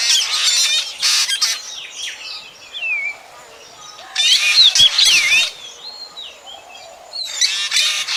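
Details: Calls of a black drongo, played for night bird trapping, come in loud grating chatter bursts separated by quieter gaps with thin wavering whistles and bent downslurred notes.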